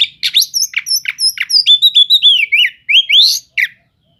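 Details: Oriental magpie-robin song meant to provoke other magpie-robins: rapid string of sharp chirps followed by clear whistled notes sliding down then sweeping upward, delivered at about three notes per second before a final short note.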